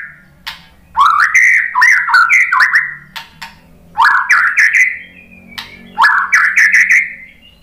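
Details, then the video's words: White-rumped shama singing in short bursts of rising, slurred whistles, four phrase groups separated by pauses of about a second, with faint low hum underneath. "OCEHAN MURAI BATU"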